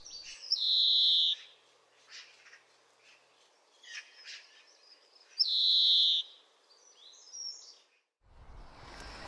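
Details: European greenfinch, UK, giving one of its most common calls: two long, buzzy, nasal wheezes about five seconds apart, with soft twittering between them.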